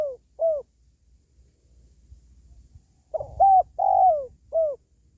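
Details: Spotted dove calling, used to lift the spirit of pet doves or lure wild ones; two cooing phrases of four low notes each, short rising-falling coos with one longer drawn-out note, a pause between phrases.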